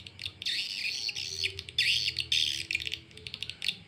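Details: A swiftlet call lure used by swiftlet farmers to attract birds to roost: dense, high chirps and buzzy trills in quick bursts, with overlapping calls and brief gaps.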